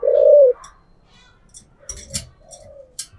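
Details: Decoy spotted dove in the thổ voice style. One loud, drawn-out hoarse coo opens, followed by a faint trailing coo amid light clicks and rustling.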